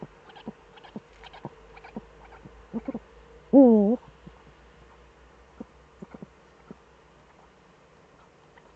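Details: Eurasian eagle-owls in the Eifel, Germany, both back at 18:47 on 11 March 2013. Scattered soft ticks and faint notes surround one brief, loud wavering call midway through.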